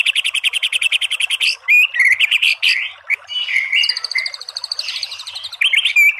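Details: Vigorous white-rumped shama singing, beginning with a fast stuttering rattle of about fifteen notes, followed by jumbled warbles, slurred whistles and bright chips in a dense, varied stream.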